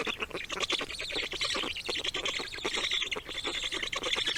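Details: Nestlings in a nest being fed by parent birds bringing food; dense, rapid, scratchy chirps repeat almost without pause, harsh broadband bursts stacked over steady high squeaky notes.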